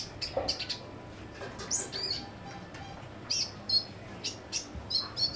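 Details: Caged kolibri ninja sunbird singing actively under simple care, giving high, thin chirps and short squeaky notes in scattered bursts, with a faint low hum underneath.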